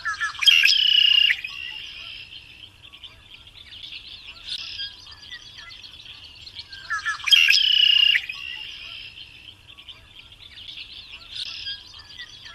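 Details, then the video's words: Variable oriole singing: bright whistled phrases around a steady high pitch, each ending in a loud buzzy, rich burst, repeated about every seven seconds with softer chattering notes between, over a faint low hum. "BURUNG KICAU"MELRO de ASAS"(KICAU MANIA)Full Gacor."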